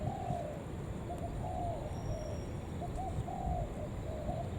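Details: Spotted dove calls used as a lure to bring other doves in. Soft, mellow coos repeat in short phrases of two or three notes over a noisy, hissing background with a faint high whine.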